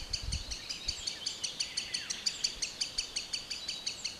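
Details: Green sandpiper in a forest, giving sharp, clipped high notes repeated about three times a second in a steady run, with faint low rumbles underneath.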